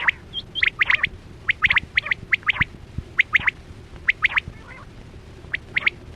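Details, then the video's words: Chora quail call used as a hunting lure: evenly spaced groups of two or three sharp, high, clipped notes, repeated about every half second over a faint hum. "Sound Of Chora Quail Batera"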